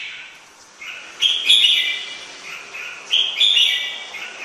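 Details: Red-whiskered bulbul singing: two bursts of rich, slurred whistled notes about two seconds apart, each phrase rising then falling, over a faint steady background hiss.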